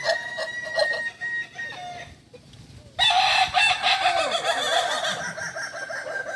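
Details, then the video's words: Group training of Kukuak Balenggek roosters in Ampang Kualo, Kota Solok. Crowing fades into a brief lull, then many roosters burst in at once with loud, overlapping, wavering crows. "latihan bersama ayam kukuak balenggek (akb)"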